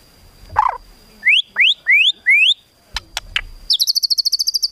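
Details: White-rumped shama 'isian tembakan' training song for contest birds: a rough note, four clear rising whistles in a row, a few sharp high ticks, then a fast, even high trill to the end.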